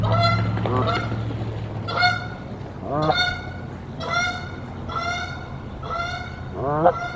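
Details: Canada geese calling at a nest in Decorah on 1 April 2024, a mated pair defending it against an intruder goose that lands and lays an egg: a series of harsh rising honks about once a second, with low steady hum beneath.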